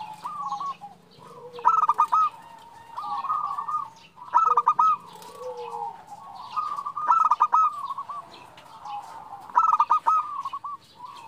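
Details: Zebra dove female calling to a male, with trilling clusters of quick cooing notes given four times, interleaved with softer, lower drawn coos and scattered sharp clicks.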